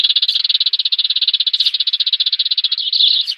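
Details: Sparrow sound from a lure recording for trapping birds, 2019: an unbroken fast rattling trill of rapid, even pulses, ending slightly louder.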